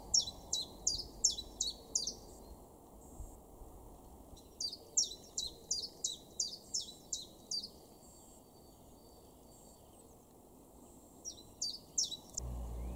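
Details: Garden chiffchaff in Weener, East Frisia, northwest Germany, recorded April 2021, delivering three bouts of its chiff-chaff song: bright, high, down-slurred notes repeated about three times per second, separated by pauses of several seconds, against quiet low rumble.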